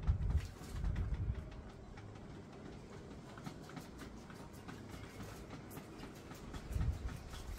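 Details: In a home yard, a male Common Bronzewing flirts with a female, uttering two deep muffled 'oom' growls, one at the start and one near the end, with a steady low rumble and faint water splashes between them, recorded by phone.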